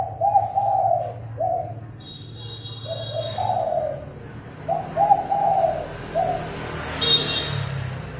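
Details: Spotted dove used as a lure bird for trapping, cooing fast and forcefully: rounded low coos in quick bursts of several notes, repeated phrases with pauses, and brief high thin tones in the middle and near the end.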